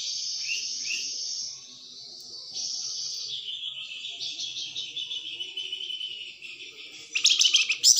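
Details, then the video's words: Plamboyan bird song used as a tutor to make magpie-robins sing: long high, thin, buzzy trills held for several seconds, shifting pitch, then a loud burst of sharp chattering notes at the end. "suara burung plamboyan tembakan ny bikin murai gacoor"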